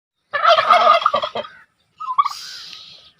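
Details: Turkey gobbling in a loud, rattling, bubbling burst of just over a second, then a short pause and a second, thinner call that fades out.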